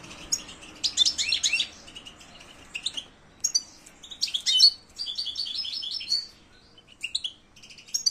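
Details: European goldfinch singing: bright, high twittering phrases of quick tinkling notes and buzzy trills, delivered in bursts separated by short pauses, with liquid chirps scattered throughout.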